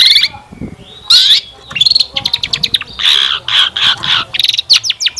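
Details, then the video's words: Long-tailed shrike lure song meant to make kept birds answer and sing: varied sequence of harsh notes, fast stuttering rattles and sharp upward-sweeping whistles. "Kicauan Cendet Memukau! Pancingan Cendet Gacor Full Isian Mewah"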